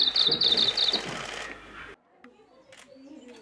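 A Japanese leaf warbler sings a brisk, high, rhythmic phrase of buzzy grouped notes, repeated rapidly for about a second and a half, over a steady rushing background.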